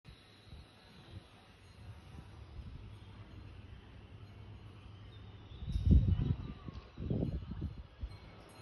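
Low rumbling outdoor noise, like wind or handling, building into two louder muffled bursts near the end; no animal call.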